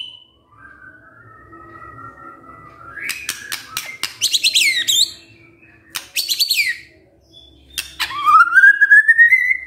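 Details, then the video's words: Lure recording of a white-rumped shama, played to provoke a male into singing: a soft drawn whistle, then crackling rapid bursts and a loud rising whistled note at the close. "PANCINGAN MURAI BATU GACOR"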